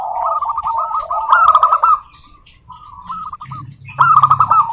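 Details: Local zebra doves in a group, a lure for other doves: rippling trilled coo phrases from several birds, with a louder burst at the end.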